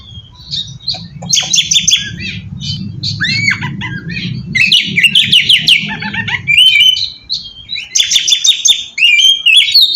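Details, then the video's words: Oriental magpie-robin lure song for attracting other magpie-robins: repeated clusters of high chirps and slurred whistles, bursts of scratchy notes, over a low rumbling hum during the first part. "suara pacingan burung kacer ampuh!! buat mancing kacer bahan dijamin langsung nyaut"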